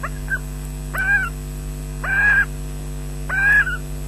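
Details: Adult osprey delivering fish to its chicks at a nest at Loch Garten, Scotland, filmed by nest webcam on 20 June 2012 at 13:24; three short, slurred, whistled calls roughly every 1.2 seconds over a steady electrical hum.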